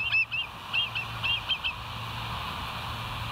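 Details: Bald eagle at the West End nest, on a live nature cam on 22 July 2023 around 05:06, giving a short burst of about six thin, high, piping notes, then steady low hum and background noise.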